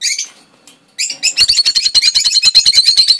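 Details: Rosy-faced Lovebird chicks, first brood of 2013: a brief high chirp, a pause, then a fast run of shrill, buzzy chirps at a steady high pitch, nearly three per second.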